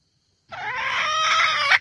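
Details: Red junglefowl lure call for trapping: a single drawn-out harmonic crowing note, steady and slightly rising, ending abruptly.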